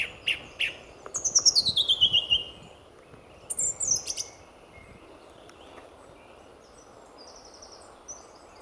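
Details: Lively male song thrush in full song at dawn, February 2014, RSPB Fowlmere reserve: a fast descending series of sharp, high notes, then a separate burst of squeaky notes, followed by several seconds of near silence with faint distant chirps.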